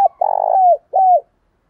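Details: Spotted dove call for training and stimulating decoy birds: a short low coo, then a longer rolling, throbbing coo that slides downward, and a final separate falling coo, all on a quiet background.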